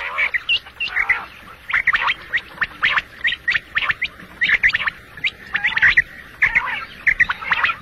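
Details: A single male batair (quail), in a morning and night hunting recording, gives rapid sharp chirps and snappy notes. They arrive in irregular runs, with some briefer gargling phrases between them, against a quiet background.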